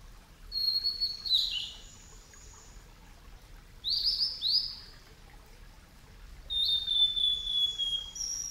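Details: At Yamada Green Park, Kitakyushu, Fukuoka, Japan, a male blue-and-white flycatcher, a summer visitor, sings, recorded over ten years ago on Sony Betacam. Three high phrases about three seconds apart, each a sweet whistle ending in quick buzzy, twisting notes.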